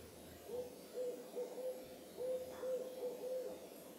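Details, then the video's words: An owl gives soft, low, hollow hoots in two runs of four, each note brief and evenly pitched, over quiet night air; calling at moonrise at Carpenter Mountain fire lookout, HJ Andrews Forest, Cascades, Oregon, USA. "Owl Calling at Moonrise"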